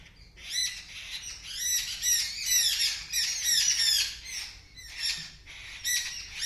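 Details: Birds screaming loudly in response to a kitten that has seen them: dense, overlapping harsh squawks from several birds, rising and falling in bursts across the whole stretch, with a brief lull near the end before the screeching resumes.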